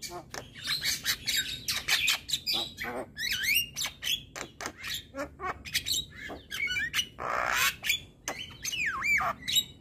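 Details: Song of a male jalak kebo, or Javan myna, meant to provoke other mynas: a busy stream of squeaky chirps, grating rasps and looping whistles with barely a pause.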